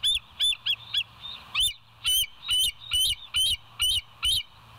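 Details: Bald eagles at the West End nest, recorded by a live nest camera on the morning of 29 August 2023, giving a rapid string of loud, piercing whistled yelps, roughly twelve notes in under five seconds, with a faint low hum behind.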